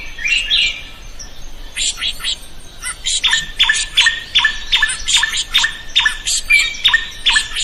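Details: Drongo in lively song, used to coax other birds into singing: an opening burst of buzzy chatter, a brief pause, then a fast, even train of harsh, rasping notes with short whistled tails.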